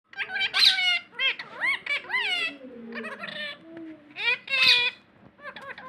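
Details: Parrot talking indoors: a run of squeaky, speech-like syllables with rising and falling tones, broken by a few sharp high squawks, delivered in quick bursts over about six seconds.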